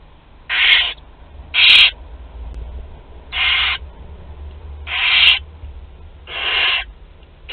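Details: Barn owl nestlings, 2 to 12 days old, eating together at Théding in France on 29 April 2021: five sharp hissing shrieks, short and evenly loud, spaced one to one and a half seconds apart, faint clicks.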